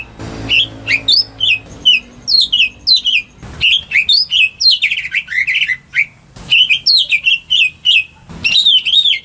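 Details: Greater green leafbird kept at home as a lure for silent birds, singing varied warbles: clipped chirps, slurred whistles and fast twittering runs in several bursts, with occasional clicks and rustling between phrases.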